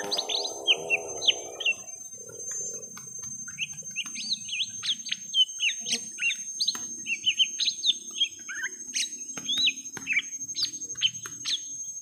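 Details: Fight between a young lesser green leafbird and a rival, first round: a long run of sharp, high chirps and downslurred whistles delivered in quick bursts, with a faint low warbling sound at the start.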